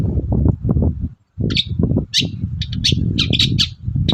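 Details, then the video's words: A lively long-tailed shrike in the morning, played to draw answers from other shrikes: after a short pause, a rapid series of scratchy high chirps and squawks, closely spaced, above a continuous low thumping noise. "BURUNG CENDET GACOR PAGI HARI BIKIN CENDET MANAPUN LANGSUNG NYAUT"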